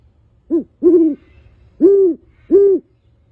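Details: Deep, soft hooting from a male great horned owl at a bird show. A brief lead-in note is followed by three fuller, even hoots spaced about a second apart in a quiet setting.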